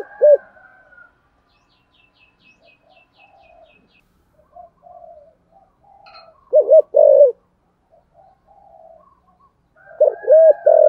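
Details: ['Spotted dove in the giọng thổ cooing style. Long quiet stretches hold only soft murmurs and faint high chirps. Two short bursts of loud, hollow coos come late, and a single coo opens the recording.']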